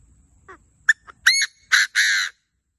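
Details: Wild francolin (teetar) giving a loud call: short clipped notes building into three harsh, nasal, drawn-out notes, the final one longest, on a quiet background.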